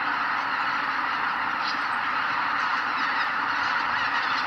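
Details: At sunrise over Kabukuri-numa marsh in Miyagi, Japan, a great mass of greater white-fronted geese flies out from the roost, filling the air with unbroken overlapping honks and a thunder-like rush of wings, occasional sharper calls rising above.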